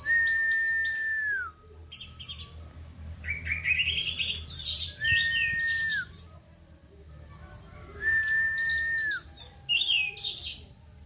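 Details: Orange-headed thrush delivering rough, dense, loud song: long flat whistles that drop at the end, each followed by bursts of harsh, jumbled twittering mimicry, repeated about every three to four seconds, low hum behind.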